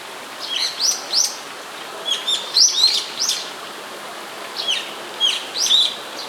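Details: Brown-eared bulbul calling fairly close by in Sumida, Tokyo, on 21 May 2017, recorded with a camera's built-in microphone: loud, sharp high squealing notes in short bursts, some rising and some falling, grouped in bouts separated by brief pauses.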